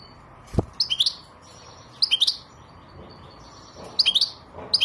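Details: European goldfinch singing: short bursts of bright, tinkling twittered notes in quick clusters about every second and a half, with quiet pauses between and one dull low thump near the start.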